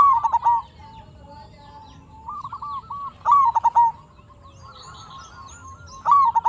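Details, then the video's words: Active local zebra dove used as a lure so other zebra doves answer: loud coos with a quick rising start and rapid falling pulses, returning roughly every three seconds, with a softer continuous trill in the gaps. "Perkutut Lokal Gacor RAJA PIKAT Ahlinya Bikin Semua Burung Perkutut Nyaut"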